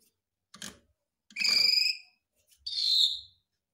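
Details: Javan pied starling, Garuda mompa type, mimicking other birds for songbird training: a short soft note, then two long buzzy harmonic rasps about a second each, separated by brief silence, with some low thumping.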